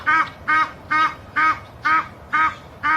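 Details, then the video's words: Egyptian geese, a small flock landed in a backyard in Boca Raton, Florida, on December 4, 2016; females honking loudly to drive some individuals away. Seven harsh, nasal honks evenly spaced about every half second. "Noisy Egyptian Geese honk loudly to drive off some of their number"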